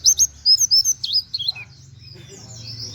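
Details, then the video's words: Brief 'wit wit' burst in canary style from a white-eye, recorded to train other songbirds. Quick high whistled slurs for about a second and a half, then only low background hum and faint distant chirps. "pleci nembaķ wit wit kenari cocok buat masteran"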